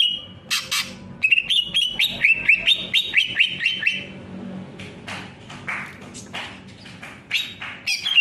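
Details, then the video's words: Greater green leafbird delivering a rapid string of sharp whistled notes for about three seconds, followed by scattered harsh broadband bursts and a final short whistle. "Beautiful singing bird Greater green Leafbird / Sound of Leafbird"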